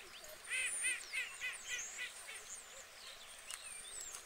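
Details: White geese on water in the UK giving a run of about seven rapid nasal honks, then quieter, with high chirps of small birds in the background.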